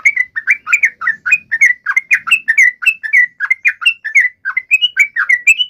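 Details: Chatty yellow-vented bulbul giving an emotional fighting call aimed at drawing a reply; quick, evenly spaced bubbly notes, some rising or falling, in a continuous loud run.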